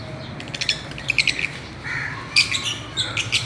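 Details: Playing Fischer's lovebirds on a swing, uttering rapid strings of bright, piercing chirps and short trills, now and then in quick runs of three or four notes.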